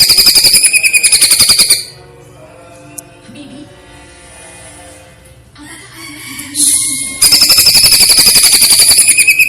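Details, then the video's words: Platuk-versus-cililin style masteran of a greater green leafbird, with pauses. A fast, ringing note series is followed by a long near-silent stretch with a brief hiss, then the rapid rattle of hard notes returns. "masteran cucak ijo rasa platuk vs cililin dgn jeda"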